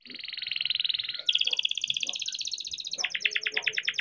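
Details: Rolling song of a young captive-bred canary, used to set other canaries singing; loud continuous trills that change pitch in sections, with low background noise beneath.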